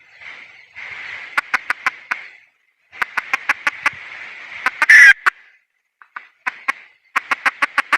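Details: Red junglefowl hen in the wild delivering bursts of brisk repeated clucks, one run climaxing in a loud raspy squawk, with a soft hissing background between notes.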